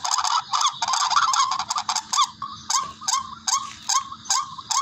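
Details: Barred rail calls used to lure birds when hunting: a dense burst of harsh honks, then clearer, separate squawking notes repeated about two or three times per second.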